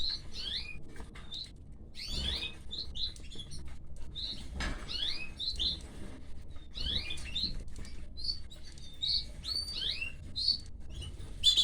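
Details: Canary chicks begging while their mother feeds them: a nearly continuous stream of thin, high, rapid chirps and squeaks, some overlapping, with soft rustling and light tapping underneath.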